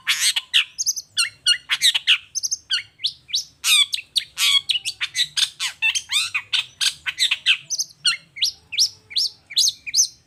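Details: Long-tailed shrike lure song meant to make other shrikes answer: ten seconds of rapid, continuous chattering with varied chirps, whistles and harsh notes delivered almost without pause.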